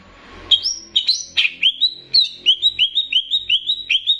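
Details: Banyuwangi greater green leafbird in a training song mixing in bebeci-style phrasing to stir up other birds: several high rising whistles, then a fast even run of short upslurred whistled notes, about four per second.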